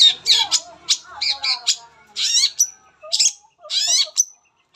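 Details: Long-tailed shrike in full song, a lure to get other shrikes singing: loud harsh rasping bursts with falling buzzy notes, broken by brief pauses and single thin whistled tones.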